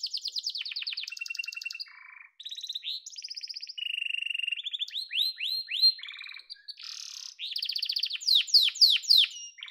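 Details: Yellow canary in full song, with high rolling trills, a low buzzy phrase, a series of clipped downward notes and a loud rapid sweeping finish.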